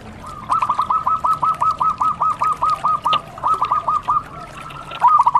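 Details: Local zebra dove singing actively: a fast run of about fourteen short, evenly spaced cooing notes at a steady mid pitch, a brief pause, a few more notes, then a louder burst starting at the end.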